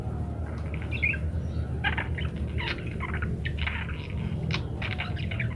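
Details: Parakeet in lively song, kept as a master recording for training munias to chatter: scattered squawks and short chirpy bursts, warbling notes clustered between one and four seconds, over a steady low background rumble.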